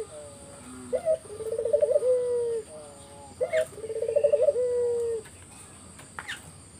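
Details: Vigorous collared dove song used as a lure to draw answers from other doves: a short clipped note, then a rolling vibrato coo ending in a drawn-out steady tone, given twice, with faint bird chirps and a steady high hiss.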